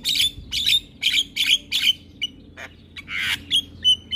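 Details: Javan myna (jalak kebo) giving loud harsh chattering squawks repeated about three times a second, then a few thin clear whistles.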